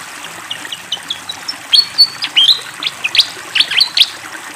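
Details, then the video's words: Vigorous fantail song set against flowing water: soft scattered chirps build into louder, clear whistled notes, some sliding up and down, delivered in a quick irregular series. "SUARA BURUNG SIKATAN KIPASS GACOR DENGAN SUARA AIR MENGALIR"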